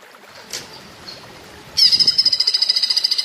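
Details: Cucak ijo singing in the platuk bawang style, used as a training recording for cage birds: quiet at first, then a loud, high, rapid series of sharp repeated notes, about four per second, from midway onward.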